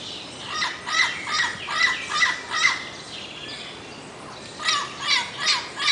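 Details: Turquoise-fronted amazon giving harsh, buzzy squawks about two or three per second in two bursts, with a quiet gap of about a second and a half between them.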